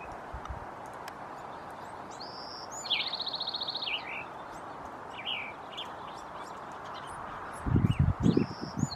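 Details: Bewick's wren song: a high clear note leads into a fast, even, buzzy trill near mid-clip, then brief sharp chips and the start of another phrase, with a few low thumps near the end.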